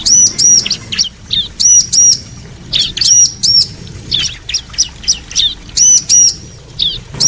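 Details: Bar-winged prinia, female and male answering each other, used as a training recording for kept birds: bursts of high, thin, sharp chirps and short whistled notes, rapidly repeated in lively clusters about every half second, faint background hiss.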